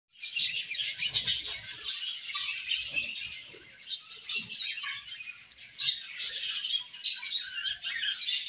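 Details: Several budgerigars at playtime, singing and chirping: a dense, scratchy warble of rapid high chirps and squeaky notes that rise and fall in bursts, with faint soft thumps beneath.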